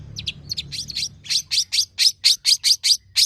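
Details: Caged long-tailed shrike singing, used as a tutor bird to prompt others. Soft scratchy notes give way to loud, evenly spaced harsh chirps, roughly seven a second near the end.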